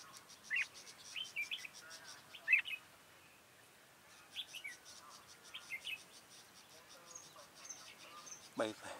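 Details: Red-whiskered bulbul during trapping with a decoy bird, giving short warbled whistled phrases in bursts with pauses between, over a steady insect hum.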